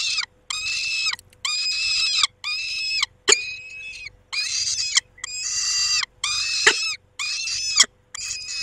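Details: Loud, coarse, rasping calls from a male peregrine falcon tending the females at the nest at 19:40, repeated in quick succession with brief gaps and a few sharp clicks between them.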